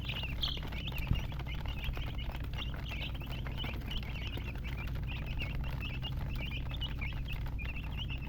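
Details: Several chicks chirping continuously, sharp high peeps tumbling one after another, a brief knock near the start, constant low mechanical hum beneath.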